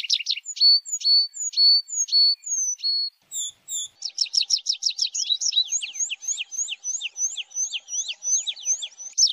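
A Tree Pipit sings a run of sharp, repeated notes falling from high to lower, then breaks into a faster, denser trilling sequence.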